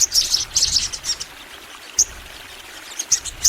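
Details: Crimson sunbird, part of an active singing session: quieter clusters of thin, very high chirps in the first second, then widely spaced single sharp tweets.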